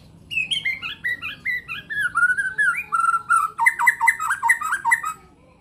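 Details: Bornean white-rumped shama in rich varied song: a descending run of slurred whistled phrases flows into a fast, bubbling series of warbled notes repeated about twice a second, clear and loud over a quiet background.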